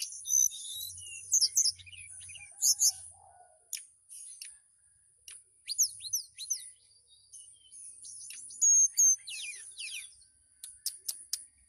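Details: Relaxed whistling song of a caged mountain tailorbird from Purworejo, Central Java, aimed at a female: scattered high chips and short slurred whistles in loud bursts, with pauses and a steady high background hiss.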